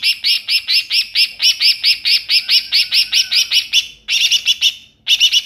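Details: Wild greater green leafbird giving a fast run of bright, high chirps, about four to five a second, then a brief scratchy, jumbled burst; used as a lure call.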